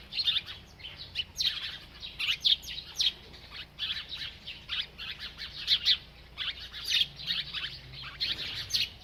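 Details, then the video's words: Bird eating and chirping nonstop: bright, high tweets come in rapid clusters roughly every second, short downward-sweeping notes mixed with thin trills over quiet background hiss. "This Happy Bird Won’t Stop Eating and Chirping"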